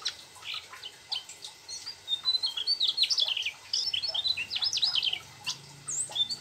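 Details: Mugimaki flycatcher's rolling song with a sooty-headed bulbul imitation: quiet at the start, then fast bursts of high, sharp chirps and thin whistled slurs.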